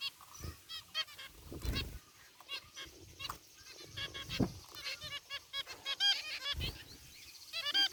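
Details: Caged zebra finches in an aviary, a mixed flock with one white bird, give scattered nasal honking chirps, several birds overlapping, with low thumps and rumbling noise between calls.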